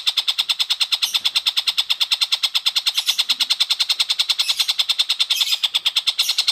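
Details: Long-tailed shrike giving a rapid, harsh chattering series of evenly spaced notes, about three per second, steady throughout; recording used as a training track for oriental magpie-robins.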